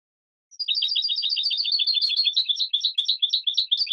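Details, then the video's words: Captive European goldfinch on a training recording, starting after half a second of silence: rapid, rolling twitters of high tinkling notes strung together without pause, liquid and slightly buzzy, clean background. "chant chardonneret 2017 goldfinch TRAINING CD"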